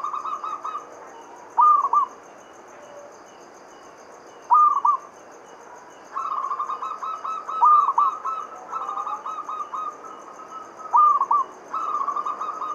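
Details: Zebra dove, a local perkutut, giving lure song to draw other doves into singing: repeated trilled cooing phrases about every three seconds, quick bouncing notes ending in a rising flourish, with a quiet constant hum behind.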